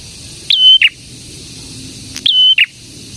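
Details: Two ringing phrases from a prinia, or prenjak: each opens with a quick rising chip, holds a steady piercing whistle, then ends in a lower buzzy note, separated by about one and a half seconds of quiet.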